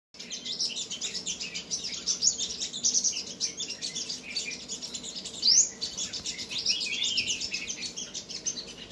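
A sunbird sings a rapid, thin, high-pitched twittering stream of sharp chips and buzzy notes, continuous throughout, with a brief sweeping whistle midway.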